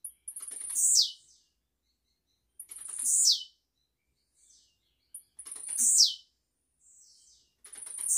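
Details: Blue-black grassquit recorded live as a song model for young birds. It gives repeated high, wheezy, descending phrases introduced by quick ticks, with quiet short notes between them.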